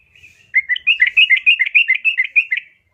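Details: A female yellow-vented bulbul is calling a male. After a soft opening note comes a continuous bubbly string of about a dozen liquid, slightly rising and falling chirps lasting two seconds.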